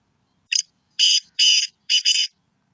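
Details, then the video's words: Black francolin (kala teetar) calling: four harsh, buzzy, grating notes, a short first note followed by three longer, doubled ones, spaced about half a second apart, with a quiet background. "Kala teetar ki awaz.کالے تیتر کی آواز"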